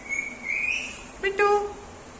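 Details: Talking Indian ringneck parakeet kept as a pet; a long thin rising whistle followed by a brief voiced, word-like syllable, heard indoors.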